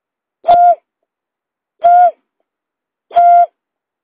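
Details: Buttonquail call played as a lure: three steady, hollow hoots, each around a third of a second, spaced about 1.3 seconds apart with nothing else audible.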